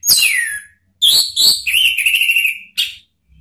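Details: Song of the orange-headed thrush (anis merah), meant to lure rivals: loud descending whistles, then a sustained warbling trill holding steady pitch, ending with a sharp note.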